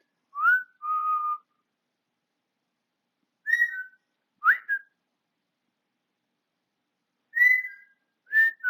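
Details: Male African grey parrot, a household pet, whistling on 20 August 2022: short two-note whistles, usually a quick rising note followed by a level lower one, repeated in bursts a few seconds apart.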